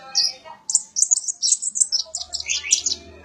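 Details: Sunbird, known locally as konin or kolibri ninja, singing as song material for training magpie-robins: rapid high, thin chirps and twittering notes run together, ending in quick descending squeaky phrases.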